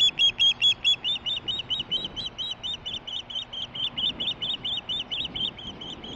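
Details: Female osprey heard very close but unseen, chirping because she is getting a fish, recorded 23 July 2015; a long, steady stream of around thirty rapid, high-pitched whistled chirps, loudest at first, then slightly softer, over faint rumble.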